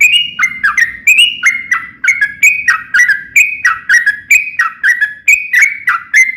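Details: Lively long-roll song of a yellow-vented bulbul, meant to coax other bulbuls into replying: a steady stream of bright, clipped whistles stepping up and down, over a soft low rumble early on.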